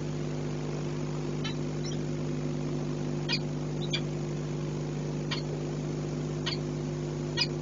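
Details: A male peregrine falcon calling at the PKN Orlen nest site in Płock, Poland, on 5 February 2023 gives short, sharp chipping notes spaced irregularly one to two seconds apart, over a steady low mechanical hum.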